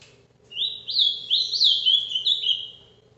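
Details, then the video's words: Ultramarine grosbeak kept by a breeder, performing the Paraná vinte vinte song live: a run of clear, sliding whistled notes that step up and down, delivered quickly for about two and a half seconds. "azulão Paraná vinte vinte ao vivo"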